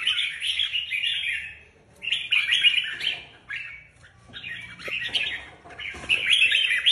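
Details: Competition red-whiskered bulbuls utter loud, harsh chattering bursts of about a second each, separated by short pauses, with scratchy squawk-like notes mixed among the warbles.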